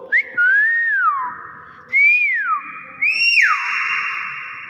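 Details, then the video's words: Common hill myna giving loud, clear whistles: long notes that rise and then slide down, three in a row. A final higher note drops sharply and is held. There is faint background noise. "BURUNG BEO SUARA ASLI"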